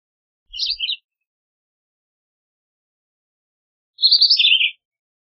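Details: Philadelphia vireo song: two brief high warbled phrases, the first short and soft, the second louder and a little longer, separated by about three seconds of silence.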